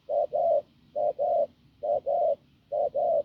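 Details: Wild-caught field spotted dove with a hoarse, strong voice, cooing: low husky coos in pairs, a short note then a longer one, each pair repeated about every second, over quiet background.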